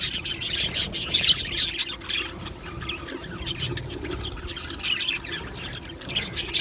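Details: Budgerigars in an aviary colony, lively high chirps and squeaky chatter at the start, thinning to scattered calls with some low rustling noise.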